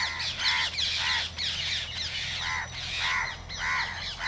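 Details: Spotted owlet, 31 August 2022: rasping, chattering notes repeated in quick irregular bursts, about one to two per second, with a constant low background drone.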